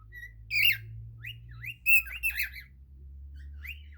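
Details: Cockatiel singing, a pet bird; short rising whistled notes near the middle range with a few harsh buzzy bursts around one and two seconds, low steady hum underneath.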